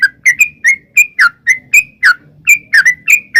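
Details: Yellow-vented bulbul song for luring birds into replying: rapid liquid chirps, some doubled, with short whistled slides, about four notes per second.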